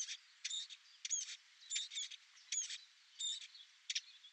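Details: Eurasian blackcap during nesting, singing a scratchy, twittering warble broken into short bursts about every half second, with a few thin whistled notes among the chatter.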